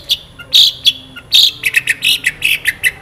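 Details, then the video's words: Long-tailed shrike in full, vigorous song with varied fill notes. Two loud, harsh, buzzy bursts open the passage, then a rapid run of short, bright chirps follows, about one every quarter second. "CENDET GACOR FULL ISIAN ASLI SULTAN LAGU MEWAH TEMBAKAN TAJAM PANJANG JERNIH"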